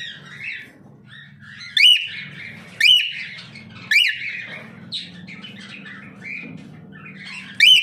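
A cockatiel gives loud, rising whistled squawks at irregular intervals, with softer chatter in between.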